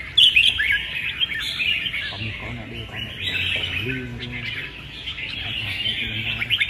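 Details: Red-whiskered bulbuls sing against each other in a contest held 15/12: busy overlapping chirps and rising warbled phrases form a continuous chorus, opening with a few loud sharp notes, and a man's voice sounds briefly.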